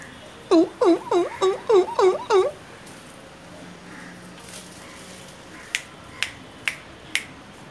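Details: A coucal at a residence in Mulund gives a quick run of seven deep, hollow hoops, about three a second, then falls silent; four sharp clicks follow near the end.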